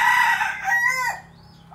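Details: A domestic-line Phatthalung red junglefowl decoy cock, bred for luring wild junglefowl, gives a short, harsh crow of a few clipped syllables over about a second, the last note dropping away, with faint background hiss.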